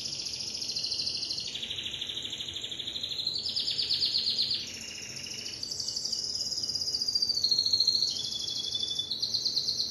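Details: Timbrado canary singing a continuous run of fast metallic rolled trills. The tours switch pitch every one to two seconds between low, buzzy rattles and high, ringing notes, with no other sounds.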